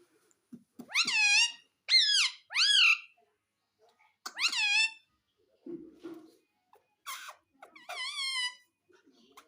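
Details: Pet parrot talking indoors, asking for roti: repeated clear nasal calls of "mami", each a rising then falling harmonic-rich squawk-like word, given in quick series with short pauses, plus a few soft clicks.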